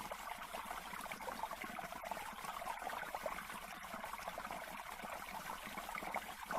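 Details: Steady trickling and splashing water, like a small stream or pouring flow, continues throughout without any animal calls.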